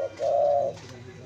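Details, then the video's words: Spotted dove cooing meant to attract wild doves, a brief soft note then one drawn-out low steady coo, with faint background hum and no other birds. "burung Tekukur sangat cocok untuk pancingan tekukur liar"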